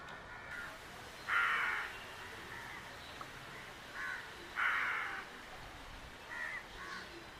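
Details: Bird in jungle near Coimbatore giving loud, harsh, broad calls in spaced bursts, two strong ones about three seconds apart with fainter ones between, over steady background hiss.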